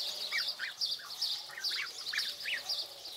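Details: African geese goslings, 22 days old, peeping as they are fed: brisk chevron-shaped cheeps about two or three per second, set against a constant high-pitched background hiss.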